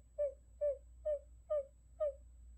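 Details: Buttonquail call used as a trapping decoy: five soft, hollow notes, each falling slightly in pitch, evenly spaced a little under half a second apart, with a quiet hum underneath.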